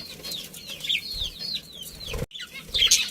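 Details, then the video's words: Budgerigars in a breeding colony utter quick, downslurred chirps in a rapid series, then a brief gap and a louder squawk, with faint fluttering. "Cute Budgies Chirping Sounds"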